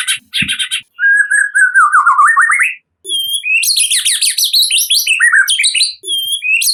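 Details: White-rumped shama, a wild-type Sumatran songbird, singing a lively lure song meant to trigger another shama: rich whistled phrases, a falling then rising warble, followed by dense varied chattering and sharp high notes with brief pauses.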